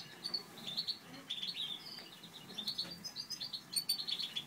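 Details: Steady high twittering from breeding Satinet canaries, a Natur/Satinet male paired with a Satinet female. Quick repeated chirps form short trilled phrases, strongest near the end, with gentle low room noise.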